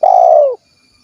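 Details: One long, smooth coo from a 'kuk 1' spotted dove in Cilacap, Central Java, held steady for about half a second and dropping slightly in pitch as it fades, followed by silence.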